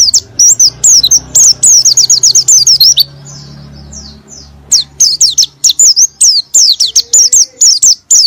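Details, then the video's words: High-pitched oriental white-eye song meant to provoke a silent bird to sing, with quick runs of thin, twisting whistles, a brief softer stretch near the middle, then renewed fast notes over a low background hum. "PANCINGAN PLECI MALAS BUNYI BIAR BISA GACOR NGALAS & NEMBAK"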